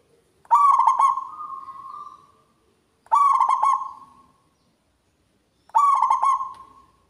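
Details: Local zebra dove singing with a big, loud, ringing voice: three cooing phrases about every two and a half seconds, each a quick run of stuttered, pulsed notes that settles into a long, fading hum.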